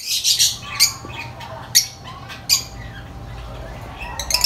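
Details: Very vocal lovebirds: a burst of high-pitched chirps, then isolated sharp squawks spaced about a second apart over steady background hum.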